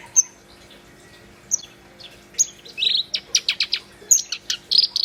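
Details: Vigorous black-browed reed warbler song: isolated thin high whistles, then a dense, fast rattle of scratchy clicks and squeaky notes, ending in chattering bursts.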